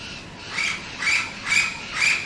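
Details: Orange-winged amazon in town at Lecheria, Venezuela, where it is common, giving four harsh, raspy squawks about every half second, each note broad and grating, with a faint hiss of background noise.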